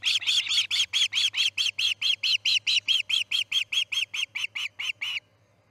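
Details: Osprey at the Charlo nest on the morning chick C6 fledged, August 10, 2018: a long, steady volley of over twenty shrill, harsh chirps at about two per second, stopping abruptly.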